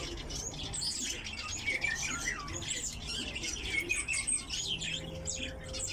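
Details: A captive lesser short-toed lark sings a fast, continuous jumble of high chirps, trills and buzzy notes, with a low indoor hum beneath.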